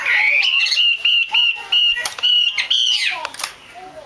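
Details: Calling female Chinese hwamei used to get males singing: a rising whistle followed by evenly repeated flat whistled notes, about two per second, then a few falling slurs.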